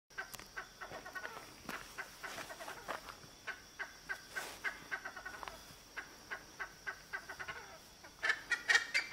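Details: Male Cheer pheasant calling in his territory at Manila, Uttarakhand, near Corbett Tiger Reserve: a fairly distant series of short harsh notes repeated steadily at about two per second, with a louder burst of sharp notes at the end.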